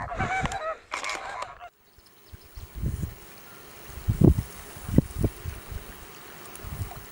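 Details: Greater flamingo giving two loud nasal, goose-like honks in quick succession at the start, followed by quieter low thumping and rumbling from wind or handling for the remainder.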